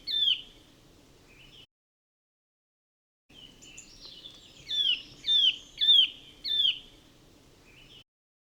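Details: Eurasian nuthatch giving rising whistled notes, a run of four louder upslurs near the end, over a low background rumble with a silent break midway.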